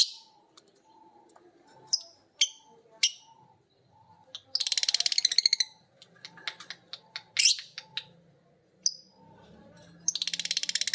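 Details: Two lovebirds, biola green and PB Piet, trade ngekek while hearing a master recording. Scattered high chirps lead into two long, rapid, buzzy chattering trills, with faint low murmuring underneath.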